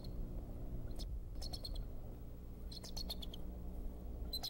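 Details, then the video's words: Decorah bald eagles, February 2014: the male sounds an alert while an intruder is chased, a series of quick, thin, staccato whistled chips in three separated bursts, each a rapid run of squeaky notes, over constant low background rumble. "Dad gives alert. Pursued Mom an intruder???"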